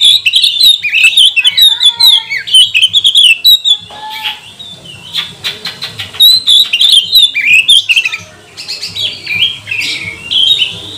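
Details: Oriental magpie-robin lure song, meant to provoke other magpie-robins into singing, showing tail and agitation: dense run of loud whistled and twittering phrases with rapid slurred notes and short pauses, over a faint steady low hum.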